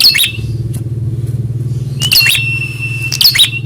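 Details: Prinia heard during a fighting-spirit test to see if it answers a rival: three harsh, buzzy chattering bursts spaced about a second apart, with a steady high whistle between them over a low engine-like hum.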